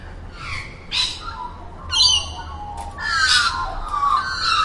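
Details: Harsh, broadband magpie squawks from a mix of Australian and black-billed magpie recordings, several rasping bursts about a second apart, the last ones longer and blended with a sliding warbled tone.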